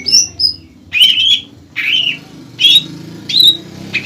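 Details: Greater green leafbird, an untrained bird in full voice, singing to bait a rival into replying: high whistles, then rich warbled bursts repeated about every three-quarters of a second, over a faint low hum.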